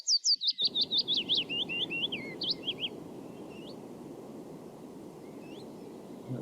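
Willow Warbler song: a sweet, liquid phrase of quick notes tumbling down the scale over about three seconds, trailing off, over a steady low hum.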